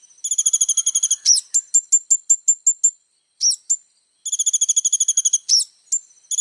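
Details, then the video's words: Little spiderhunter (kolibri ninja) in full, varied song for tutoring young birds: fast high-pitched rattling trills broken by a string of evenly spaced sharp chips and slurred notes, in a quiet setting. "SUARA BURUNG KOLIBRI NINJA GACOR FULL ISIAN MEWAH"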